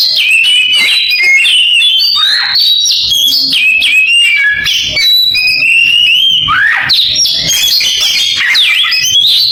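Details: Oriental magpie-robin delivering an imitation of a canary, a continuous rush of piercing whistles, chattering trills and sharp upward and downward sweeps packed tightly together.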